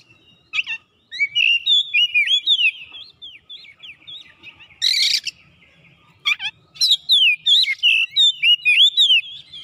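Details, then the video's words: Oriental magpie-robin (kacer) in gacor song, seeking an opponent: loud clear whistles sliding up and down in quick succession, interrupted by a couple of harsh scratchy bursts, then a fast run of repeated swooping notes. "SEKALI MENDENGAR KACER LANGSUNG ON GACOR MENCARI LAWAN"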